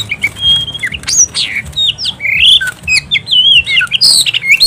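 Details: Oriental magpie-robin singing prolifically in an excited, fired-up state: loud varied whistles, rising and falling slurs and sharp squawky notes mixed rapidly, with clicks and a busy noisy background.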